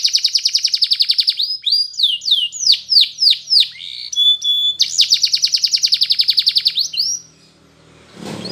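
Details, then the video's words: Spanish Timbrado canary sings in the morning, training song: a fast even trill, a series of falling whistled slurs, another long rapid trill, then the song stops before a brief rustle. "Canary TIMBRADO Singing In The morning"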